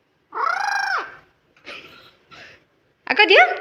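An Alexandrine parakeet talks in a scratchy, speech-like voice: one drawn-out word, two short breathy syllables, then a harsh, twisting squawk.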